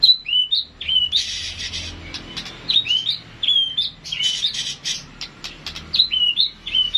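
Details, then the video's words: White-rumped shama in classic singing, repeated high twisting whistled phrases alternating with harsh buzzy rasping bursts, the pattern recurring every second or so. "Ocehan Burung Murai Batu Klasik"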